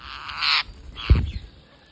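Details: Parakeet during feeding, giving one loud, broad raspy buzz lasting over half a second, then a weaker rasp and a heavy low thump.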